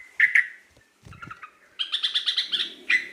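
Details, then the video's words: Local sooty-headed bulbul in lively voice: two sharp whistled notes, soft low knocks, then a run of quick buzzy chirps ending in one clear whistle. "suara burung trucuk lokal gacor"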